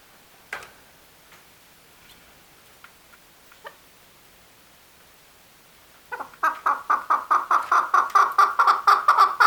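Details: Male chukar, a loud run of harsh, clucking chuk notes that starts abruptly after a quiet stretch with scattered clicks, repeating about twice a second and growing stronger toward the end.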